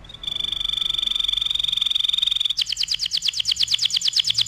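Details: Canary in vigorous song for tutoring other birds: a sustained, very fast, even high trill for over two seconds, switching to slower, louder, sharply falling repeated notes.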